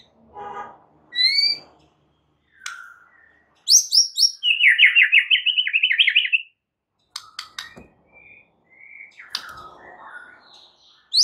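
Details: White-rumped shama used to train caged songbirds: scattered varied notes and a soft low sound, then a loud buzzy rattling trill of rapid repeated notes, followed by sharp clicks and quieter whistled phrases.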